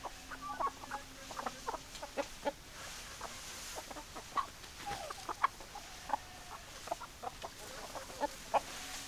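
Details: Hens clucking, sharp single clucks spaced roughly every half second alongside a few short tonal calls, steady low hiss beneath the flock.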